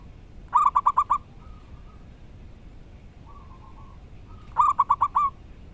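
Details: Local wild zebra dove singing: two short bursts of five quick rolling coos, separated by soft, drawn-out low notes, over a steady background hiss.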